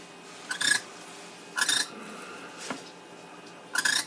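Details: A wild female barn owl on a barn deck gives three harsh, raspy bursts, each under half a second and about a second or two apart, with one faint click between, apparently telling her mate to go hunting for her.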